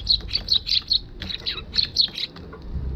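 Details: Eurasian tree sparrow arriving at a balcony, recorded on a GoPro HERO6 on 1 December 2021: a rapid series of sharp, high chirps, about a dozen in three seconds, in short clustered bursts.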